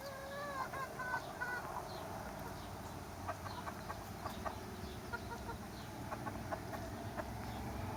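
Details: Chickens and roosters in summer, a flock clucking softly with scattered short notes and a few drawn-out tonal calls early on, over a steady low hum.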